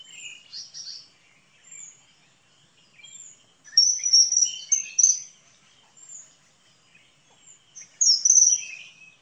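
Common kingfisher giving shrill, piercing high whistles in short bursts, with fainter thin chirps between them and a quiet outdoor background.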